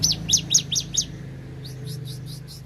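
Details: Cinereous tit recorded at Takengon in Central Aceh, giving a brisk series of five loud, sharp, high two-part notes, then a quieter run of similar notes, over a faint low hum.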